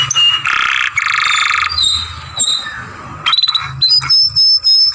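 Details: Young canary singing masteran-style song with long grumbling sounds: harsh buzzy rolls alternating with thin high whistles and quick trills, some short gaps between phrases, low hum underneath.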